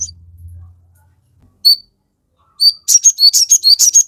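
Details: Crested jay lure song: a low hum fades out, isolated clear whistles follow, then a quick rhythmic sequence of bright high chirps alternating with whistled notes.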